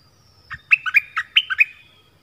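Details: Orange-headed thrush whose southern-type song is used to lure wild birds and train young birds: seven sharp, clear notes alternating in pitch over about one second, over faint low background hum.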